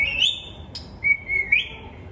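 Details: Clear whistling from a talking parrot: a rising whistle, a brief click, then level whistled tones ending in a short upward lift, bright and high-pitched.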